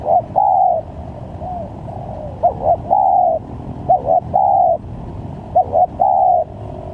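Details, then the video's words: Spotted dove calls with varied phrasing, played as a trapping lure. Dense cooing: long held coos and short double notes in four phrases about every one and a half seconds, with faint softer coos between. "Pancingan Tekukur||Berpariasi Bunyinya||Cocok buat Mancing Pikat"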